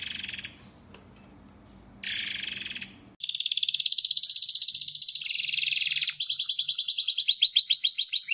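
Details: White-rumped shama in a master recording for training songbirds, in the dense, rough 'tembakan' style. Short, harsh, high bursts give way after a pause to a rapid run of buzzy notes, about three to four each second.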